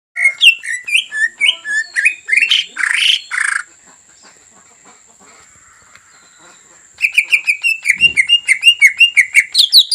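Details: Greater green leafbird singing to provoke a rival into singing: a series of loud rising whistled notes and rich warbles, a pause, then a rapid run of repeated clear whistles with squeaky high accents.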